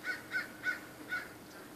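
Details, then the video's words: Crows mobbing a raptor: four harsh, loud caws in quick succession, the last after a slightly longer gap, with steady background hiss. "Crows Mobbing Raptor"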